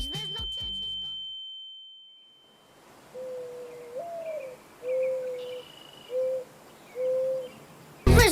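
Mourning Dove cooing softly: a low, rising first coo, then three shorter level hoots about a second apart, after a brief burst of other sound and a steady electronic tone.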